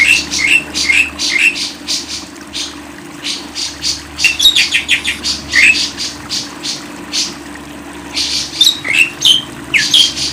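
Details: Lovebird chattering in pulsed bursts of harsh high chirps, with squeaky upward-sliding notes repeated in short series and a quieter stretch midway, faint hum behind.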